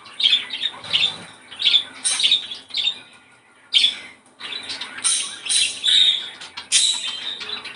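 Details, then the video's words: Budgerigars singing, played to stimulate breeding condition, chatter in a busy, scratchy warble of squawks, clicks and thin whistles, bursts coming every second or so, with several birds overlapping. "ESTIMULAR CELO !!! CANTO PERIQUITO AUSTRALIANO!!"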